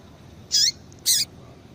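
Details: Two brief, high, buzzy chirps from a female double-collared seedeater, a call meant to stir males to sing, separated by half a second of near silence.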